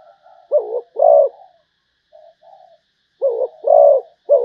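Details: Zebra dove from Malaysia cooing: soft, rolling, mellow phrases with paired stronger notes, a quiet pause, then the phrase repeating.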